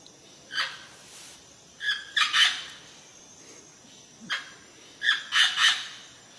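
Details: A parrot in its natural habitat gives harsh, screechy squawks in two bursts, each a quick run of grating notes about a second long, over quiet background hiss.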